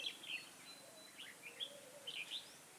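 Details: Red-whiskered bulbul used as a decoy for trapping wild birds, recorded outdoors on 13 August 2018; bright, warbled, chirping phrases in short bursts, with quiet rural background noise.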